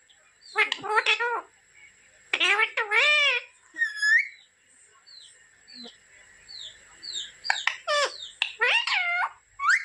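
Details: Talking pet parrot producing loud harmonic, wavering calls in several bursts, mixed with short chirps and thin rising whistled notes between them, over a faint steady high tone in the background.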